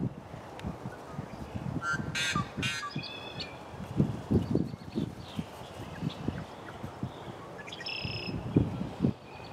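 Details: Yellow-headed blackbird song likened to a rusty door: harsh, noisy, scraping bursts near the start and again near the end, with strong low-pitched rumbling and thumping throughout.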